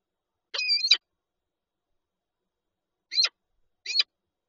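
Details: Lublin, Poland, 19 March 2022, Peregrine falcon pair at a nest with eggs: one drawn-out scratchy wail lasting nearly half a second, then silence, then two short harsh notes.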